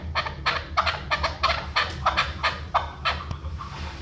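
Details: Chukar partridge hunting call from Pakistan: a quick run of harsh chuk-chuk clucks, about three per second, over a low background hum.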